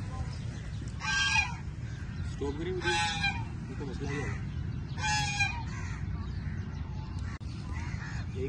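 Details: Crows grabbing food from each other utter a series of harsh, nasal caws in quick succession, mixed with lower muffled human voices and a steady background hum.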